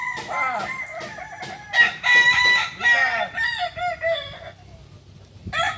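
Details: Kukuak Balenggek rooster at practice in Solok, West Sumatra: quick tumbling crow syllables that rise in loudness mid-phrase and then trail off into quiet, with a new call starting at the end.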